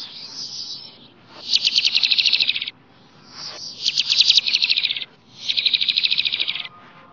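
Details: Wild flamboyan bird in its natural habitat: three loud, high rattling trills of about a second each, with even rapid pulses, given at regular intervals over quiet background.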